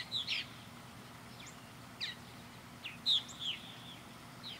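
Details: Purple martins around a backyard birdhouse give a few short chirps and one longer gurgling note, separated by quiet gaps, over a low background hum.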